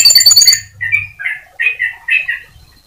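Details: Atlantic canary song used to prompt other canaries to keep singing: a fast harsh rattling trill opens, followed by three short chirpy phrases in a middle-high register; faint low hum underneath.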